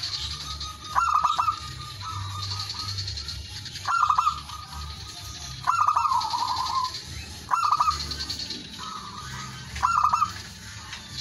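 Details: Male zebra dove calling rivals, used as a lure: five trilled coo phrases at intervals of about two seconds, one followed by a longer descending roll, with steady hiss and low hum throughout.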